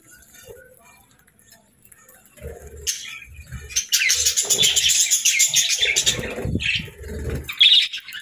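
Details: Happy pet budgies chirping and singing: a quiet start with soft knocks, then from about three seconds a dense, buzzy, fast chattering warble that runs to the end.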